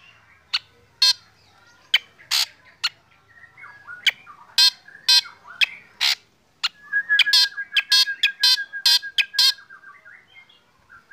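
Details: Black drongo kept in a cage, sunned in the morning and setting other birds singing: scattered sharp clicks and harsh buzzy bursts, roughly two a second, then a dense rasping run over a level whistle from neighbouring birds.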